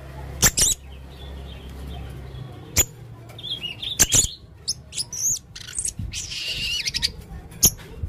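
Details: Male blue-crowned hanging parrot singing in the gacor konslet teler main singa style: sharp high clicks and thin squeaky chirps, scattered over a faint low hum.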